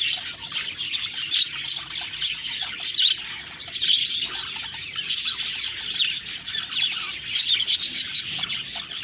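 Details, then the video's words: Busy budgie chatter: unbroken high chirps and warbled twitters overlap densely, with brief louder bursts every second or so. "Budgies Birds talking sound Birds chirping sounds"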